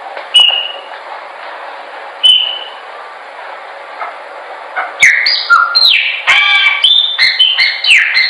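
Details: Chopi blackbird used for training birds to sing: a few short whistled notes, then from midway a rich run of loud varied whistles, slurs and sharp chips in quick succession.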